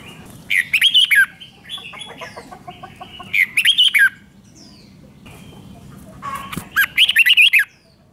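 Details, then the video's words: Red-whiskered bulbul song played to excite caged birds: three bursts of rapid warbled, bubbling notes around a second long, separated by quieter chatter and faint background calls. "เสียงนกกรงหัวจุก ร้อง ริก เปิดให้นกฟัง ยั่วให้นกคึกจัด"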